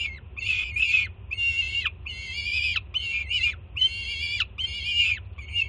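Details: Peregrine falcon chick in Jersey City, June, screaming excitedly as the adult female lands with food; loud, rasping, harmonic wails about half a second long, separated by short pauses, with a constant low background drone.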